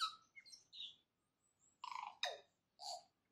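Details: Dawn song of a tui: a few clear whistled notes, a pause, then harsh, broad, crackling bursts and a falling wheeze, sounding metallic and abrupt.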